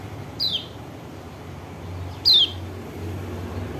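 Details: Lombok white-eye, locally kecial kuning, in a lure call meant to provoke a silent bird: two thin, descending whistled notes nearly two seconds apart, the second louder, with a soft rumble behind.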